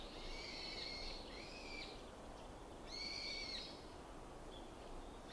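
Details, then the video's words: Wild bird calling in the February morning forest of Ikuta Ryokuchi, Kawasaki, Japan, 2025: two drawn-out, harmonic, slightly nasal notes about two seconds apart, over steady broadband hiss. "鳥のさえずり 朝の森"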